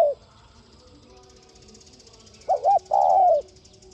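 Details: A spotted dove coos to stimulate other doves to coo. After the tail of an earlier coo comes one full phrase: a quick wavering double note, then a drawn-out falling coo, with faint rapid high chirping in the background.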